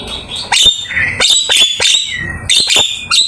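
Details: Javan myna singing in a master track packed with imitated phrases: sharp clicks and rasping bursts alternating with thin high whistles, delivered in quick, uneven bursts.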